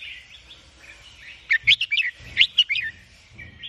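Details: Sooty-headed bulbul giving two short runs of loud, clear chirping notes, over a constant murmur of soft chatter and faint low rumble.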